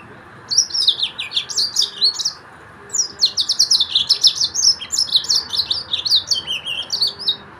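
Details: Yellow-fronted canary singing two long, rapid phrases of high chattering chirps and zigzag trills, divided by a short pause, loud and clear against a quiet background.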